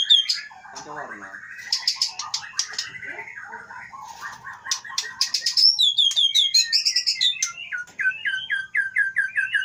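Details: White-rumped shama from Pining, Leuser mountains, Aceh, pouring out varied mimicry-like whistles, rattles and sweeping notes, ending in a descending series of sharp repeated phrases.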